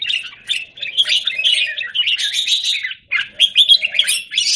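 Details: Red-whiskered bulbul kept in a square cage, 17 Jan 2019, delivering lively run-on warbles and sharp chirps. A short gap falls near the three-second mark before the phrases resume.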